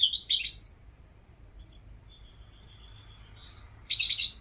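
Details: European goldfinch giving a short burst of sharp, high twittering notes, a long quiet gap with faint thin tones, then another quick tinkling phrase at the end.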